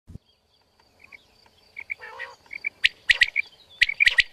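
A female quail gives short, sharp high chirps, at first scattered and then in quick clusters of two or three, over a thin steady insect-like whine and a few clicks.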